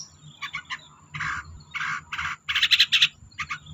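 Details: Long-tailed shrike used as a lure for silent birds: harsh, raspy chattering bursts in uneven groups, some scratchy and some brighter with a squeaky edge, over faint low hum.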